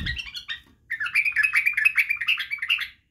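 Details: White-eared bulbul (badrawi bulbul) song, recorded for teaching young bulbuls to sing, including the barwaz style: a brief bright chirp burst, a short pause, then a quick run of repeated warbled notes for about two seconds.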